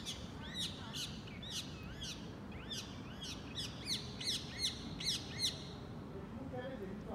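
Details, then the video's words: Unidentified green birds atop a tree by a kitchen; one sings a rapid series of high, wavering chirps and rising slurred notes, several per second, over a steady low background rumble. "Singing Birds"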